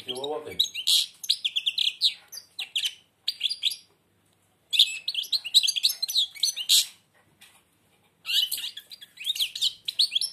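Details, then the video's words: European goldfinch, blind, sings with beak nearly shut, delivering long runs of bright, liquid twitters and buzzy trills in several phrases with brief silences between them; a low human voice is heard at the very start. "تغريد_الحسون أعمى سبحان الله يغرد ومنقاره شبه مغلوق chardonneret"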